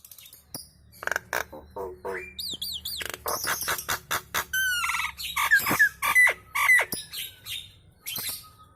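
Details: Nias hill myna chattering busily, said to prompt other birds to join in; a rapid, varied run of harsh squawks, clipped notes and wavering high whistles, about two notes a second, ending with a thin sustained tone.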